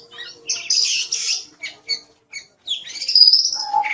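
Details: Oriental magpie-robin in vigorous song: scratchy and whistled phrases with breaks between bursts, closing on a long high whistle and a lower sustained note. Used as tutor material for songbirds.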